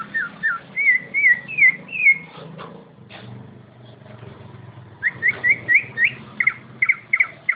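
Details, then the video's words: Greater green leafbird of competition quality singing a run of clear, rapid, looping whistled notes, breaking off midway over a low rumbling background, then resuming with quick repeated whistles. "Kicauan suara cucak ijo Kualitas lomba"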